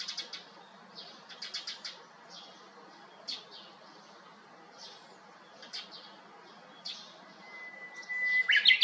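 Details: Japanese bush warbler on the top of a hiba tree next to an empty house, 7 May 2021, after a brown-eared bulbul gave up the perch; scattered thin high chirps, then a long level whistle rising into a bright, quick closing flourish.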